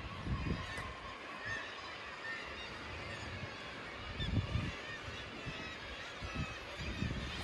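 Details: Gulls, mostly kittiwakes, keep up overlapping harsh squawks and nasal cries at a noisy seabird colony at Crawton, Fowlsheugh Nature Reserve near Stonehaven, Scotland, as strong wind rumbles and buffets throughout.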